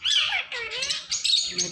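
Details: Ringneck parrot talking, producing short harmonic, voice-like syllables with a bright, nasal tone in two or three bursts, close and indoors-sounding, with no other clear sounds.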